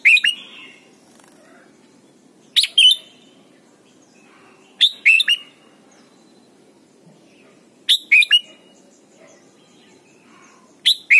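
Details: Training song of a Red-whiskered bulbul in Thailand, meant to teach young birds: short, bright two- and three-note warbled phrases that come every two to three seconds, separated by quiet gaps.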